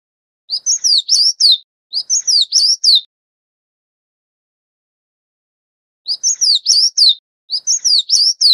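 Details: Oriental magpie-robin tending chicks: two quick bursts of bright, zigzagging high chirps, a three-second silence, then two matching bursts. The notes are sharp and clean, and nothing else is heard.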